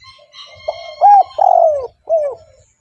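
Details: Spotted dove calling as a lure for other doves: a short soft lead-in, then loud arched coos, the longest a drawn-out falling note, closing with one shorter coo; faint steady high tones behind.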